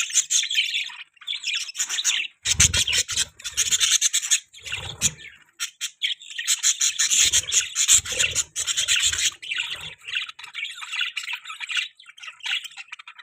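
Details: Budgerigar chirping in a steady warbling chatter, dense bursts of high scratchy notes and clicks with short pauses, some low thumps, possibly several birds together.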